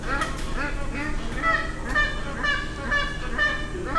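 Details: Magpie geese calling in Darwin during their seasonal end-of-dry-season influx; clear ringing honks repeated roughly twice a second, several birds overlapping, with faint low background noise.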